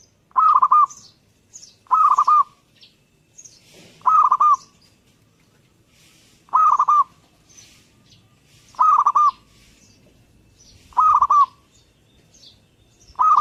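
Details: Zebra dove, perkutut, in lively song: seven regular phrases of soft stuttering coos at steady pitch, about two seconds apart, with light high-pitched chirps of other birds between them.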